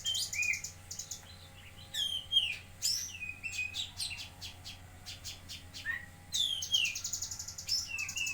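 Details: Actively singing lesser green leafbird (cucak kinoi) from Jambi gives a fast jumble of whistled slurs, metallic chips and fine buzzy rattles, phrases tumbling one after another with short gaps.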